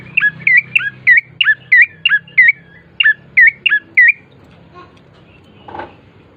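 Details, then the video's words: Bar-winged prinia in full song, meant to coax other birds into singing: a steady string of bright, falling chirped notes for four seconds, then near silence with a brief rustle. "pancingan prenjak coki GACOR❗ agar cepat bunyi"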